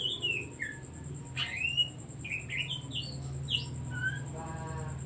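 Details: Oriental magpie-robin singing to provoke other songbirds: varied whistled slurs and sharp upswept notes, ending with a soft rapid buzzy rattle, over a constant high tone and noticeable low rumble.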